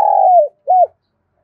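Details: Fragment of a decoy spotted dove's loud, resonant lụp gáo coo, used to provoke other doves: a long, slightly falling throaty note followed by one short arched coo, then silence.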